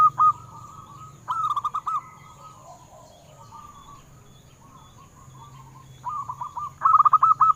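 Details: Zebra doves of local wild stock, recorded to stimulate captive doves to sing: scattered short bursts of rapid cooing notes separated by soft lingering tones, ending in a louder quick series, over a steady hum.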